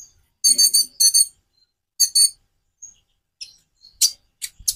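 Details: Konin sunbird giving buzzy, rattling high trills in short double bursts, followed by scattered thin, sharp chips after a quiet gap.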